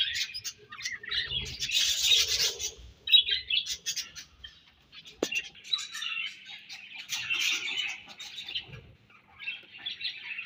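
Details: Budgerigars chirping while feeding and exchanging food; dense warbling chatter of high scratchy notes, loudest in the first three seconds, then broken bursts of twittering with brief quiet gaps.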